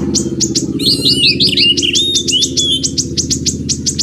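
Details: Purple-throated sunbird, known locally as kolibri ninja, singing for a songbird tutoring track: rapid high chirps and thin rising whistles in quick series, some notes repeated in a tight run, over a steady low hum.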